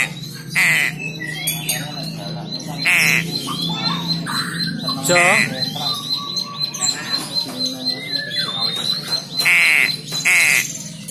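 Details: Young crow uttering loud, grating squawks every two to four seconds, with a steady high-pitched tone and music running underneath.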